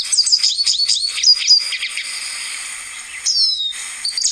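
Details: Lesser Goldfinch, a species of the Rio Blanco reserve in Caldas, Colombia: rapid high chattering of thin, slurred chirps for over a second, then a pause and a long, clear descending whistle, followed by more chirps.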